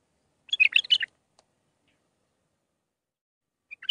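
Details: Bulbul singing a Mandalawi-style song for young birds to learn: a short, loud, chattering warble, a long silence, then the start of another phrase.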